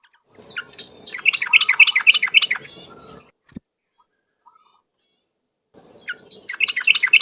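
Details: Yellow-vented bulbul singing vigorously on a trapping lure track: a three-second stream of quick, bubbly repeated notes, then near silence broken by a click, before the chattering phrase starts again at the end.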